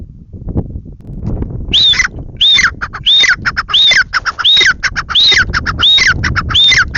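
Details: Grey francolin (teetar) in a loud rhythmic calling bout after a quiet start; harsh squawking notes with a rising then falling ringing tone, repeated in regular bursts roughly every half second, low background rumble.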